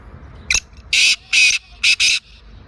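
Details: Black francolin from Sindh, Pakistan: a loud call opening with a sharp click-like note, then two long scratchy bursts and a quick final pair, clear over soft background.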